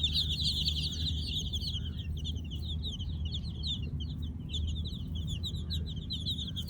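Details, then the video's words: A brood of Kolor baby chicks peeping at night, strongest in the first second, then a continuous thinner chatter of short high chirps above a low droning background. "KOLOR Baby Chicks "Chirping Sounds" in night!"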